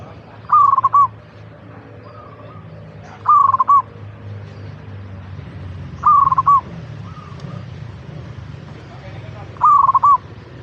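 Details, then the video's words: Zebra dove song made to prompt caged local perkutut to call: four loud phrases of fast, bubbling coo notes, roughly every three seconds, with faint distant dove phrases between them. "Pancingan Burung Perkutut Agar Cepat Bunyi - Zebra Dove"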